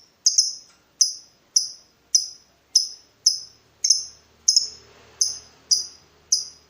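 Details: Lovebird in breeding mood provoking a rival: sharp high chirps repeated about every half second, each a bright piercing note fading quickly, faint low background hum later.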